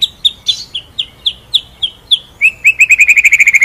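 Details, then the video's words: Murai batu, or white-rumped shama, in a masteran tutor recording with ngerol-nembak delivery: spaced sharp high notes about four per second, then a fast rattling run of rapidly repeated lower chips accelerating to the end. "MASTERAN MURAI BATU FULL NGEROL NEMBAK SUPER EDAN!!"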